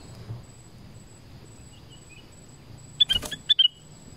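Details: Black-crested bulbul singing in a forest: a few faint thin whistles, then a short burst of bright, sharp notes with clicky accents near the end, over a steady high insect-like tone and low background rumble.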